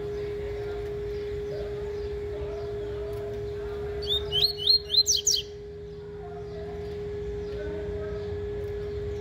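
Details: A capped seedeater warms up its tui-tui style song. One short burst of high, quick, slurred whistled notes rises and falls, over a steady low electrical hum and background murmur.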